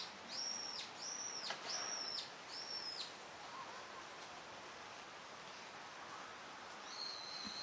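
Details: Eurasian wigeon, a winter visitor, at a park pond in Junsainike Ryokuchi, Chiba, Japan, March 2025. Four sharp, high whistles in quick succession over three seconds, each arching then dropping. A pause follows, then one more whistle near the end, over steady background hiss.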